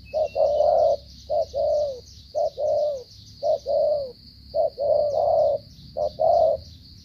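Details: Spotted dove of Cà Mau, Vietnam, cooing in the stammering 'gù cà lăm' manner, about ten mellow low notes grouped in uneven pairs and triplets, with a continuous high-pitched hiss underneath.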